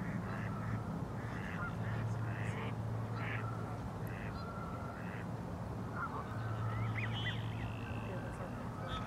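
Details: Common goldeneye giving croaking calls during courtship displays and diving; faint, short buzzy bursts recur irregularly every second or so over a steady low hum.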